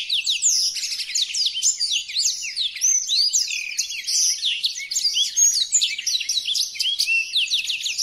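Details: Blackthroat singing for song mastering, one of five variations: a long, lively outpouring of high chirps, slides and fast trills, steady in loudness and without pauses.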